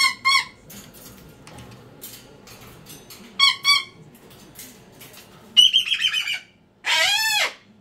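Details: Indoor pet cockatoo alternating paired harsh squawks with a buzzy trilled call and then a long, loud rasping scream near the end.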